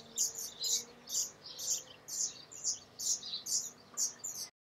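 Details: Black redstart in front of the camera, producing a string of sharp, rasping high bursts about two per second, nine in all, evenly spaced before stopping abruptly.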